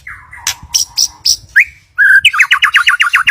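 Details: Lure recording of white-rumped shama song meant to make a pastol sing: soft whistles and scattered sharp notes, then a loud rising slur leading into a rapid run of repeated ringing notes, with low rumble underneath.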